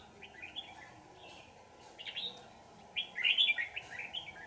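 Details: Trapped red-whiskered bulbul, afterwards released: short warbled chirps early on, a fuller phrase near two seconds, then a loud lively run of rapid, bubbly whistled notes over the last second and a half against a low hum.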